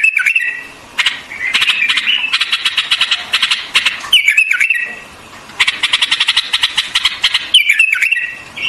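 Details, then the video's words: White-eared bulbul in song: slurred whistled notes break up long trains of fast, dry ticking notes, with short silences between bursts. "White-Eared Bulbul Song"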